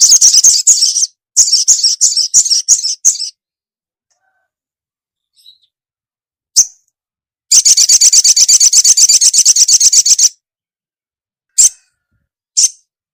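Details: Female ruby-cheeked sunbird calling a male in an energetic mood; long, very high, rapidly pulsing trills of even, chattering notes, separated by silence and single sharp high chips.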